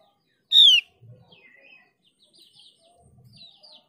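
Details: Lure recording of Mees's white-eye to make other white-eyes answer: a single loud sliding whistle, followed by faint chattering notes and low murmurs.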